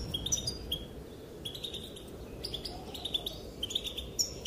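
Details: Female European goldfinch calling, said to prompt males to dance: scattered high chirps early on, then tighter bursts of tinkling twitter notes in the second half, over a faint, steady low rumble.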